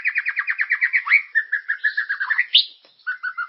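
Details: Lure song of a white-rumped shama meant to stimulate caged birds into singing, called lively and distinctive. A fast run of repeated chirped notes gives way to steadier whistled syllables, a sharp upward sweep, then short clear notes.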